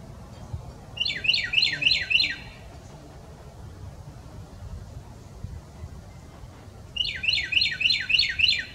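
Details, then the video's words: A Carolina wren sings two loud bursts of rolling, rapid phrases, each repeated about six times, with a quiet pause between them and a faint low background rumble. "Carolina Wren Singing"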